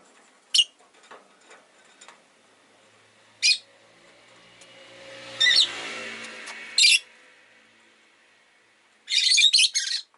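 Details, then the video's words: Five pet rosy-faced lovebirds kept in a cage by a window; sharp single shrieks come every few seconds, ending in a rapid burst of harsh chirps, over a faint murmur of traffic. "Lovebird Chirping Sounds"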